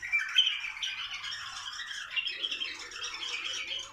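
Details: Bulbuls singing to encourage mating: a dense, continuous stream of bubbly, chattering notes and short whistles, busy throughout the four seconds with a brighter burst near the start and a faint lower murmur toward the end.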